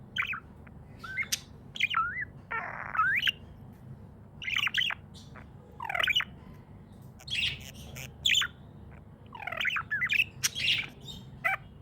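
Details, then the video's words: Happy budgie chirping steadily: repeated short bursts of warbling, bending notes and squeaky tweets roughly every second or two, one scratchier rising squawk early on, low household hum underneath. "Happy budgie chirping sounds"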